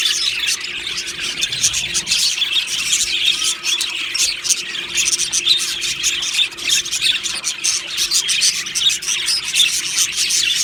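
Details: Aviary flock of happy Australian budgies chirping together: a constant tangle of thin, quick tweets and scratchy warbles, dense and unbroken, with occasional squeaky notes rising above the chatter.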